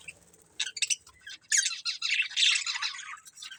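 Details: Budgerigars, a breeding pair, give a few scratchy chirps and then a rapid, scratchy warbling chatter that fades into soft twittering.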